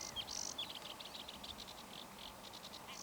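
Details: A male red-backed shrike perched in sunlit reeds at ponds near Wrocław, Poland, on 26 May 2024, gives a quiet, scratchy warble of quick high chirps and a few thin whistled notes, over a soft hiss.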